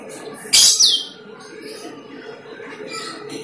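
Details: Asian glossy starling, played as a lure to attract the same bird: one loud, sharp whistled note sweeping steeply downward, followed by a faint hum and a few soft distant notes.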